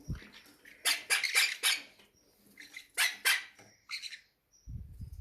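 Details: Hungry aviary parrots at feeding time squawk harshly in quick clusters of three to four, then a softer trailing call, with low knocking noises at the start and end.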